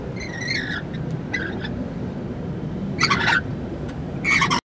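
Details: Rainbow lorikeets bathing, drinking and splashing in water on a hot day outside a 6th-floor office window give harsh, grating screeches in short bursts, about four over a few seconds, over a steady low rumble of traffic.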